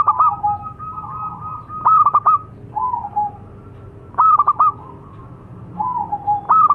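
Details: Perkutut lokal (local zebra dove) in continuous song: repeated bursts of rapid staccato coos alternating with softer, lower drawn coos, roughly every two seconds, over low background rumble.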